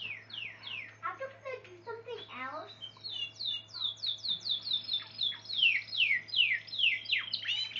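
A Spanish Timbrado canary sings fast, varied phrases: rapid bubbling trills, then bright whistled notes sliding downward, about two or three each second, over a low steady hum.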